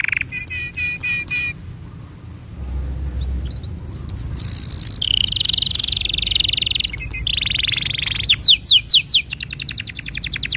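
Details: Canary tutor song for young and silent canaries: short clipped trills, a quieter gap, then long buzzy high rolls shifting pitch, closing with quick sweeping pulsed notes.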